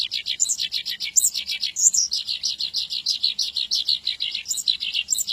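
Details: Rapid Javan bush lark song of tightly packed chirps and trills, with a few piercing higher notes standing out at about one and two seconds, sung nonstop.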